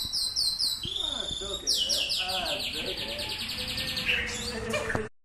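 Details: White-rumped shama training session at Samadua: a long run of rapid, evenly spaced high notes forms a ringing trill, with low human voices murmuring beneath.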